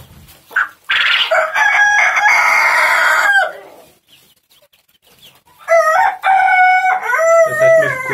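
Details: Male Japanese quail calling, a sound that helps tell males from females: two loud, harsh, harmonic bursts, each lasting about two and a half seconds with steady pitch, separated by a quiet gap of roughly two seconds.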